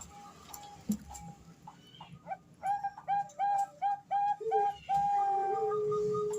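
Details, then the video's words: Female Bangkok-type zebra dove (perkutut) calling the male, used as a lure for young birds learning to sing; a run of short, tonal cooing notes with overtones, followed by a long sustained note, over faint background hum. "suara perkutut betina memanggil jantan"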